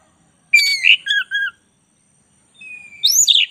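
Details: Black-breasted oriental magpie-robin in a tutor recording. Three quick whistled notes slide downward, a pause follows, then a thin steady whistle leads into a shrill, rising-and-falling flourish.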